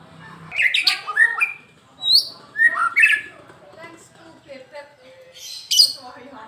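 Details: White-rumped shama from Medan, a caged bird described as singing readily every day, giving varied sharp whistles and slurred upward notes in quick clusters, with quieter warbled phrases between louder bursts.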